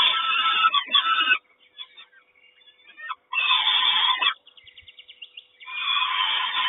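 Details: Peregrine falcon nest at Kawęczyn, 3 June 2022, as the mother delivers breakfast: loud grating screams in two bursts, broken by a quieter stretch of softer scratchy notes and a brief rasping trill.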